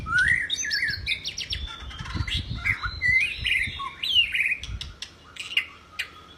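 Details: White-rumped shama in full song, recorded as a training tutor for other birds: a rich stream of clear whistles, rising slurs and quick varied phrases. Soft low thumps sound underneath.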